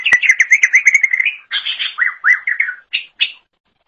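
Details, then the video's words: Green leafbird (cucak ijo) singing for a songbird-training recording: a fast trill of evenly repeated chirps, then looping down-slurred whistles and two final sharp notes. "Kicauan Super Cucak Ijo Gacor Untuk Masteran"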